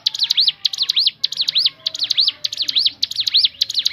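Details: Crescent-chested babbler song for luring other birds to sing: paired and tripled high arched whistles in fast bursts, about two groups per second.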